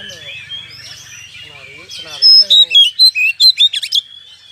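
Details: Oriental magpie-robin singing a lure song meant to provoke other birds into fighting; after a quieter start with murmuring underneath, loud whistled and chirping notes come in a rapid varied burst of about ten phrases, sweeping up and down.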